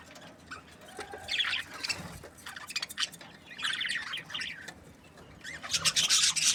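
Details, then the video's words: Budgerigars chirping in short scattered bursts of high, scratchy chatter, separated by quieter gaps with a faint low background hum. "Budgies parrot chirping sounds"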